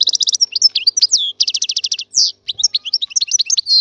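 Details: Free-living Algerian European goldfinch gives a dense, high-pitched warble: quick rattled chirp series, slurred whistled notes and a short buzzy note, all run together without a break.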